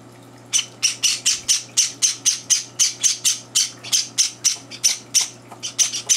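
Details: Java sparrow chicks begging during breakfast as two older birds crash the meal; silence, then a regular series of sharp high chirps about four per second for several seconds.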